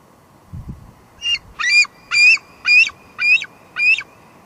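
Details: Two Harbors nest on 16 July 2022, with a juvenile female bald eagle waiting for food as her father delivers only fluff. Six evenly spaced, shrill, squealing high notes sound about twice a second.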